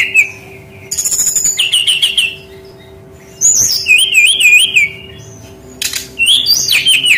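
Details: Brown-chested jungle flycatcher song, played as a lure for young wild-caught birds reluctant to sing: short high whistled phrases with trills and wavering warbles, in three bursts separated by quiet gaps; steady low hum beneath.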